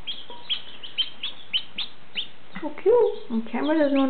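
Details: Newly hatched chickens, part of a brood of fifteen aged one to two days, give clear high peeps spaced about every quarter second, then a woman's cooing voice takes over in the second half.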